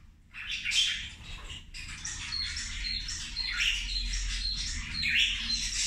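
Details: Feeding zebra finches keep up a busy nasal chatter after a brief quiet start, with a repeated thin high tone running through the buzzy calls and a faint low hum.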